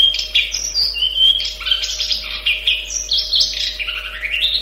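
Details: Long-tailed shrike singing a varied warbling song of rising and falling whistled phrases, some slurred and chattering, continuous and fairly loud, with a constant faint electrical hum in the background.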